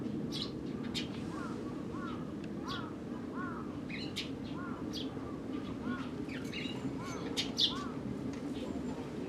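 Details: Eurasian tree sparrows calling on 4 February 2012: a lively run of short, bright chirps mixed with repeated lower arched notes that come roughly every half second, over a steady background rumble.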